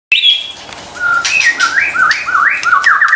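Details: White-rumped shama song used as a lure to get stressed or silent shamas singing: a high thin whistle, then a run of clear rising and falling whistled phrases that grow louder and more rapid toward the end.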